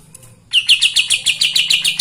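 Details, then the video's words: Kapas tembak song for riling other birds: after a brief low hum, a sudden string of sharp, scratchy high chirps repeated quickly, about six per second. "Kapas tembak gacor paling bisa bikin EMOSI burung bahan"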